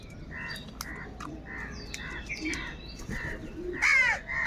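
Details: Crows squabbling over food give a run of short, hoarse caws, rapid and uneven, ending in one loud, harsh caw, over a busy chorus of thin chirps and whistles from small birds.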